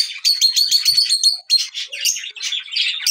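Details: Lutino Fischer's lovebird giving a rapid run of high, shrill chirps, about four a second, then a tumbling jumble of squeaky twitters.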